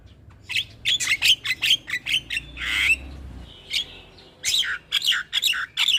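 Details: Black-winged myna song played as a lure for stressed birds that have stopped singing: harsh, broadband squawks and chattering notes in quick irregular bursts, with a few whistled tones.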